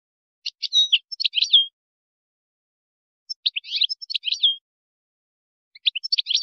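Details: Moroccan-style European goldfinch song meant for teaching young goldfinches and hybrids: three dense bursts of high, tinkling twitters roughly every two and a half seconds, each closing with a slurred note, no other sounds.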